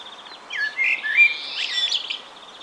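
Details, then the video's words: In spring, on a warm evening, a common blackbird singing calmly atop a pine gives one short song phrase of mellow, fluty notes sliding between mid and high pitch, ending in thin twitters; faint high notes sound behind. "Весенний Чёрный Дрозд. Пение"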